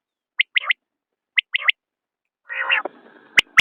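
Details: Common quail calling: two crisp three-note phrases, a single sharp note followed by a quick double, with a short harsh, buzzy burst near the end and quiet gaps between phrases.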